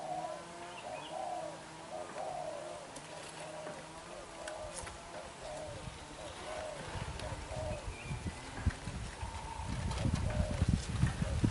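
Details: Young black-eyed decoy spotted dove giving đập gù coos, a row of low mellow notes for several seconds before loud rustling and handling noise takes over.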